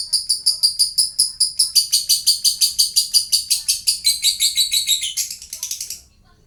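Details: A lovebird sings to provoke answering calls from other lovebirds, giving a fast series of bright, buzzy pulses, about four a second, which slide lower toward the end before stopping abruptly into quiet.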